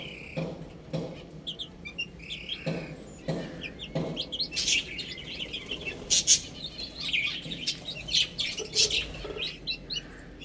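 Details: Young chicks feeding and drinking: a few drawn-out high peeps and regular pecking thumps at first, then a busy stretch of quick, overlapping chirps from several chicks.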